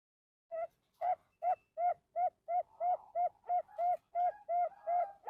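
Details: Captive male zebra dove (perkutut), Bangkok type, from a Bantul breeding farm: a steady run of fourteen or so short, clipped coos, nearly three per second, the later notes slightly fuller and drawn out.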